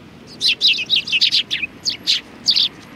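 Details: A group of sparrows on a bench at Tenmangu shrine, January 2020, chattering in rapid, high-pitched chirps, about a dozen notes packed into three seconds, some slurred downward, against light background noise.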